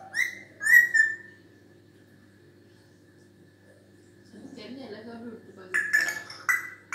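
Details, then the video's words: African grey parrot giving clear, high whistled notes, two quick ones at the start, then near silence, a soft low warbling murmur, and a final pair of sharp whistles, over a faint steady hum. "Sounds on...! | African Gray parrot"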